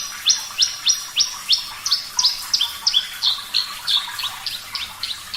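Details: Javan bush lark of the Parva type singing in a clear voice: a regular string of about sixteen upswept whistles, three per second. Each note starts low and snaps upward, with the later ones slightly lower.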